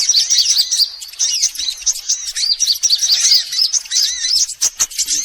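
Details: Recording of sunbirds used to lure birds in: an almost unbroken tangle of sharp, high chirps and slurred twitters, easing briefly near the end before resuming.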